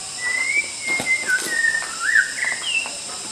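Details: White-rumped shama song used as a master recording for training other songbirds: a flowing run of clear whistled phrases, some level, some sliding up or down, one after another with barely a pause, over a steady high hiss.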